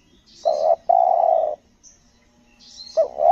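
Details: Lombok spotted dove (tekukur) at a luring session, giving its selang nguku gagap coo: a brief husky note then a longer even coo, with the next stuttered phrase starting; faint high chirping of small birds.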